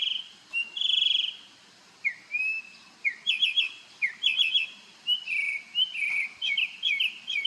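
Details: Varied morning song of a bird dancing on Marco Island, Florida, mixing long whistled notes, slurs and short rapid trills in a continuous stream.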